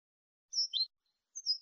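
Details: European goldfinch in clean malagueño style, recorded to educate goldfinches: a high bright note dropping into a lower buzzy note, then after a gap another high, slightly falling note.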